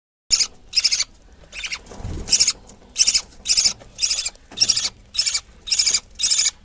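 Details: A 20-day-old budgerigar chick gives harsh, hissing rasps in rapid bursts, about two each second, while being fed by its mother.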